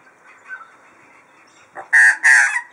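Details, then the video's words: Magpie whose voice is likened to a modem: soft, low warbling, then two loud, harsh rasping bursts in quick succession near the end. "Modem-Vogel (Magpie)"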